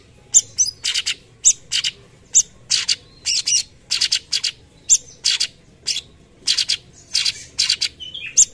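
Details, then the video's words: Tembakan song of a lively cucak cungkok, recorded as a master: spaced clusters of scratchy, buzzy high notes with short pauses between, a few thin whistles, quiet low hum throughout. "Masteran tembakan cucak cungkok gacor"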